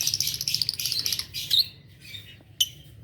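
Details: Adult green Fischer's lovebirds chirp in the morning, a run of shrill, scratchy high notes followed by two sharp isolated squeaks, with a low steady hum behind.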